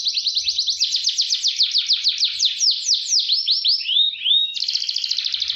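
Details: Canary in energetic roll song used as a tutor recording for training other canaries: fast, high, repeated down-sweeping notes in a rapid rolling series, slowing into longer slurred whistles, then a quick buzzy trill.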